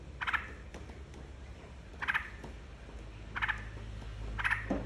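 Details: Yellow-vented bulbul song used to coax other birds into singing: four short, bright chattering bursts spaced one to one and a half seconds apart, with low rumbling noise and a faint steady high tone.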